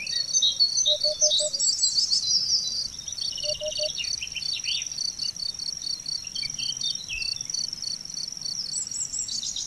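A Eurasian hoopoe gives soft, low hollow 'oop-oop-oop' notes in short groups, set beneath a dense high-pitched chorus of small birds and insects.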